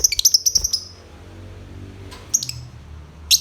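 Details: Lovebird delivering a rapid series of shrill high chirps at the start, then a pause, a short double chirp and a final piercing note.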